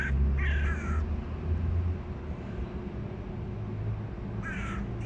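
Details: Young hooded crows playing in mud before sunset; two hoarse, harsh caws with layered overtones, the second about four seconds after the first, over a steady low rumble.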